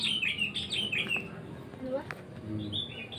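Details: Sooty-headed bulbul song heard as a quick string of bright chirping notes, with further scattered chirps later and a busy low background murmur.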